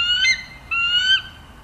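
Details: Bald eagle giving two loud, shrill, drawn-out squeals, each bending upward in pitch before trailing off.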